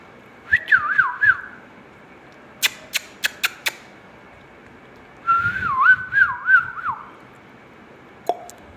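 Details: Ringneck parrot indoors giving two bursts of wavering, looping whistles, each lasting about two seconds, separated by a run of sharp tapping clicks.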